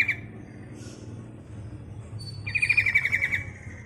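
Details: Sooty-headed bulbul female calling a male, a lure sound: a faint note, then one clear phrase of about ten quick bubbling notes, over a steady low hum.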